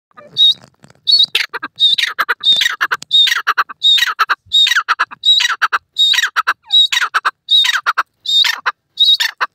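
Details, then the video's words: Francolin, called Irani teetar or Dakhni teetar, calling loudly in a rapid series of harsh, squeaky phrases, each opening with a high note and dropping into grating clicks, repeated about once per second. "irani teetar ki boli,tetar awaaz,dakhni teetar voice"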